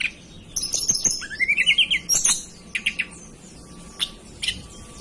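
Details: Hill blue flycatcher from the mountains of Banten. A short rising, trilled whistle is followed by a series of dry clicks and ticking sounds that continue at irregular intervals.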